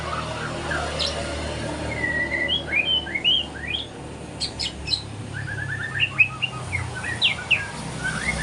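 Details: Spotted young white-rumped shama learning its song at morning, delivering scattered clear whistles, slurred notes and brief sharp chips with gaps between phrases over a low continuous hum.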